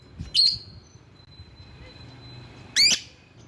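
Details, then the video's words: Lure calls of a lovebird meant to attract rivals: two loud, shrill, rising squeaks about two and a half seconds apart, separated by near silence with a faint steady tone. "Burung LOVEBIRD Ampuh memanggil lawan"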